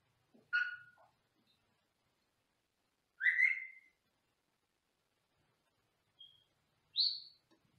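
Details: Senegal parrot kept in a small indoor cage, recorded from a separate room: four spaced calls, harsh and harmonic at first, then a loud slurred whistle, a brief pure note and a rising squeaky whistle at the end.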